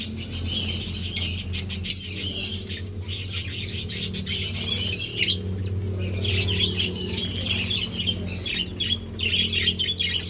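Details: Aviary finches in a breeding colony, finding a nest: a busy chorus of short, high chirps and buzzy notes from several birds, with a steady low hum underneath throughout.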